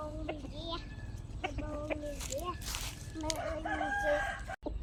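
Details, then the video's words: Several chickens kept by their owner, giving overlapping drawn-out harmonic calls and short rising notes mixed with soft clucks, with a brief hissing noise in the middle and a steady low rumble underneath. "My chickens and original sound"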